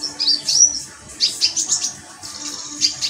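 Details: Metallic pygmy sunbird giving short, sharp, high tinkling chirps in quick clusters, separated by brief pauses, over a faint steady hum.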